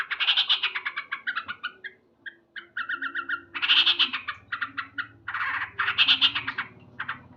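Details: Morning song of a male yellow-vented bulbul, loud bursts of quick, bright chattering notes broken by short gaps, with a faint low hum underneath.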